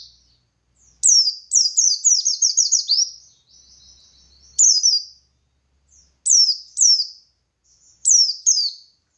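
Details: Buxtoni white-eye singing ngalas-style to lure other white-eyes into replying; a rapid run of about ten descending chirps, then spaced double and single slurred notes, all very high and clear.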